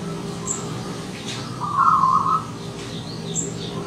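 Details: A single short rippling, trilled coo from a visiting wild zebra dove, with thin high chirps of other small birds and a low background hum.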